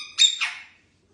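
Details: Male pet ringneck parakeet that keeps saying "what you doing" lets out one loud, harsh squawk lasting about half a second, shrill at first, then sliding lower and fading, in a quiet room.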